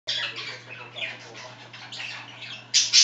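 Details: Two pet budgerigars chatter indoors in a small room while another scratches itself: a dense stream of buzzy, scratchy warbles and squeaks, ending in two loud harsh bursts.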